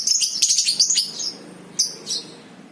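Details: Lovebird ngekek chatter, played as a lure to set other lovebirds singing: a quick run of shrill squeaky notes at first, then two sharp isolated chirps after a quiet gap.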